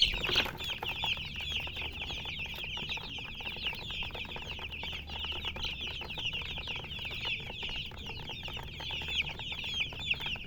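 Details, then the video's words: Baby chickens peeping together in a steady crowded chorus of thin, high chirps, with a brief louder knock at the very start. "Baby "Chicks Chirping" Sound"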